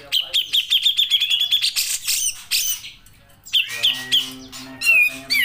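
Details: Grey-cheeked bulbul song for training cage birds: a fast ringing trill of repeated notes, then harsh squeaks, a pause, and twisting whistled phrases.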